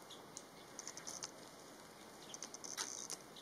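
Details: Blue-winged Minla in Gaoligongshan National Nature Reserve, Tengchong, Yunnan, China, giving thin, very high notes in two quick bursts of short ticks over a soft, steady background hiss.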